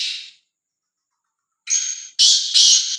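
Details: Free-roaming black francolin, called fearless, ends one rasping note, pauses, then gives three loud harsh grating phrases in a rapid sequence.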